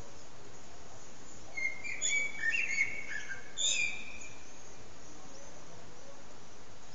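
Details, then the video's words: Common blackbird singing its evening song at sunset, recorded on an HTC Desire phone: a couple of warbled, fluting phrases with twittering high notes, then quiet background hiss. "Sunset with Blackbird's evening song"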